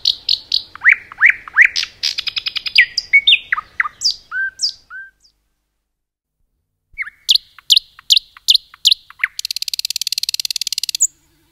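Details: Common nightingale singing in a forest: varied chirps, slurs and a short rattle, a whistled note, silence for two seconds, then sharp repeated notes and a long fast buzzing trill.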